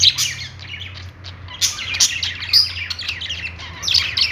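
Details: Budgerigars on a perch give bright chirps mixed with scratchy chatter, a burst at the start, a quieter dip, then livelier squeaky warbling toward the end, over a low droning hum.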